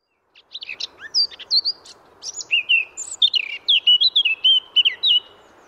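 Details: Eurasian blackcap in the wild: a few scratchy notes lead into clear, fluty whistled phrases that fall and rise, rich and loud, over a soft background hum.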